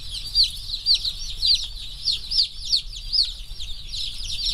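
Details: Freshly arrived rainbow broiler chicks, a slow-growth flock of about a thousand, busily running and pecking: clear, high, downward-sliding peeps repeated several times a second over a softer chorus of other chicks and low background hum.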